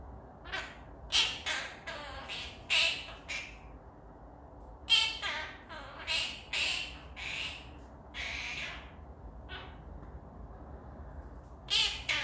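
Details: A pet blue monk (Quaker) parakeet chatters in bursts of harsh, squawky syllables, talking and singing, with music and laughter in the background.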